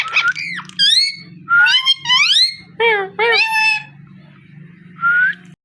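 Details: Talking parrot indoors giving rapid speech-like phrases mixed with rising and falling whistles, several bursts separated by short pauses, over a constant low electrical hum.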